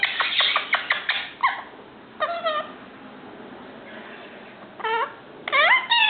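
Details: Male ringneck parakeet, five months old and learning to speak, gives a burst of fast clicks, then a few separate harmonic whistled notes, one rising upward at the end.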